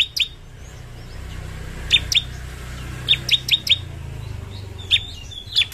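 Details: Bar-winged prinia, used as a master song to make other birds sing: scattered sharp, high single and paired chirps at irregular intervals, with a low background hum.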